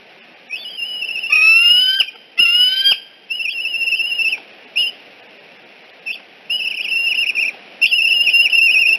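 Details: Eagle at the Decorah nest at 6:45 am on 14 September 2018, a juvenile visiting the nest and being escorted away; high, thin whistled notes held steady, broken by quick series of falling, chittering notes, loud and close.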